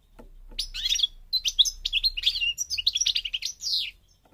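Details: European goldfinch of the North African parva form from Morocco singing: a rapid, tinkling run of high twittering notes, liquid trills and short buzzy slurs in two bursts split by a brief pause, over a faint low hum.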